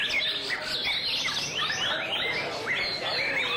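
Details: Song display of a white-rumped shama, with rich whistles, sliding notes and rapid chattering trills tumbling over one another without pause. A steady low hiss sits underneath.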